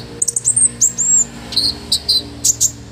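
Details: Rich olive-backed sunbird song for tutoring caged birds: high thin whistles, a short drawn-out slurred note, then sharp doubled chips repeated several times, over a faint hum.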